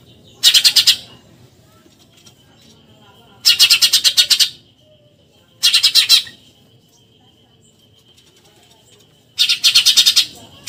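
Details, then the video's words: Eurasian tree sparrow 'tembakan nyerecet' chatter for tutoring contest songbirds: four short bursts of very fast, harsh notes spaced a few seconds apart, with a faint steady thin tone between them. "MASTERAN TEMBAKAN NYERECET BURUNG GEREJA"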